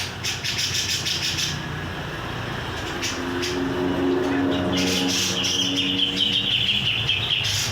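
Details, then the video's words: Grey-cheeked bulbul, called cucak jenggot, singing vigorously: a run of high, warbling whistled notes at a steady pitch in the second half, over a constant low mechanical hum and scattered clicking noises. "cucak jenggot gacor"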